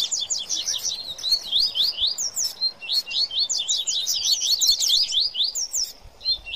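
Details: Coleiro and papa-capim chattering excitedly in a 'baderna' mix, giving quick repeated upslurred whistles and buzzy chips that run on without a break.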